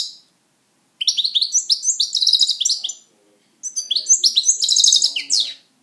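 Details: A pet European goldfinch sings two bursts of quick, tinkling twitters, bright and high, each running about two seconds with a brief pause between.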